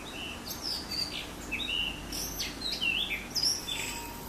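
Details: Varied whistled song of a blue rock thrush, with rising and falling fluted notes and sharp high chirps in rapid succession over a faint steady background hiss.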